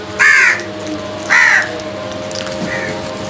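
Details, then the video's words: Crows fighting over food: two loud, harsh caws about a second apart, each with a rough, ringing tone, then a fainter, shorter caw, over a steady low hum. "Crows Fight for Food | Crows attack on food | Crows Sounds"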